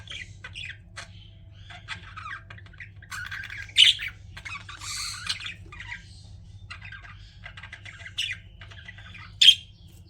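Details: Pet budgies give soft, scattered chattering twitters broken by a few sudden loud, sharp squawks, against a faint low hum.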